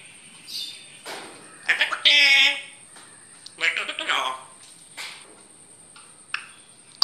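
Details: Grey parrot (Psittacus erithacus), talking.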